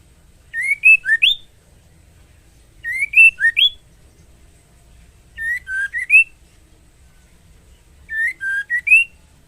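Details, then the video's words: Four matching phrases from a breeding-condition female white-rumped shama calling the male, each a short string of ringing whistles ending in a rising note, spaced about two and a half seconds apart over near silence. "Suara MURAI BETINA Memanggil Jantan"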